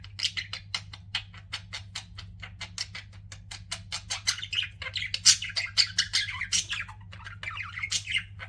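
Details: Pet budgerigars (Melopsittacus undulatus) chatter in rapid, scratchy chirps and squawks, several notes per second, growing louder and busier near the end over a low steady hum.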